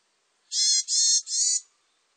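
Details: Varied tit giving three harsh, buzzy, rasping notes in quick succession, each about a third of a second long, in a clean recording with no other sounds.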